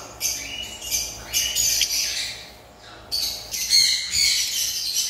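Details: Lovebirds give shrill, harsh squawking chirps in loud, broad bursts, pausing briefly around the third second before resuming just as intensely, with a faint low hum beneath.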